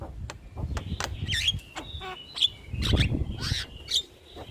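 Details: Starling song from a training recording for young birds, played routinely so lazy starlings sing: sharp clicks and short bright whistles, with a low rumbling background.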